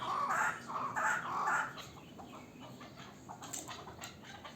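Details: Local chukar partridge, a young bird from last year's brood, gives three loud, drawn-out grating notes in quick succession, followed by quiet background noise with faint clicks.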